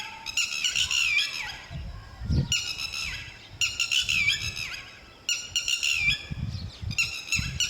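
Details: A lapwing pair guarding chicks at a quiet nesting spot. Bursts of shrill, ringing calls about a second long repeat with short pauses, some notes sliding downward, over faint low rumble.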